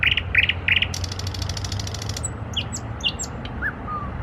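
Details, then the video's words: Nightingale trills: three quick bright repeated notes, then a fast rattling trill, then loud whistled notes and rising and falling sweeps over a low background rumble. "Nightingale trills / Соловьиные трели"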